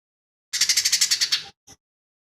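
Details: Lesser green leafbird singing a song said to be packed with mimicked phrases of fighting sparrow, tengkek buto and cililin: one second of fast, scratchy pulsed chatter, then a single short click-like note.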